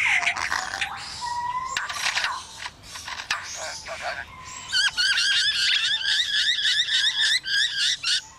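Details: Lyrebird imitating construction noises: sliding whistled notes and buzzy bursts give way to a fast, regular run of repeated mechanical clicks and chirps.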